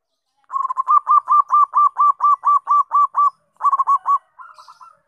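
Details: Zebra dove singing as a lure to provoke other doves to sing: a steady run of about thirteen short, hooked cooing notes, a brief pause, a faster burst of five, then softer trailing notes, with no other sounds.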